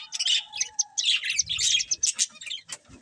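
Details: A breeding pair of pet budgies chatters in rapid, scratchy chirps and warbling trills, nearly continuous, with a faint steady low whistle early on.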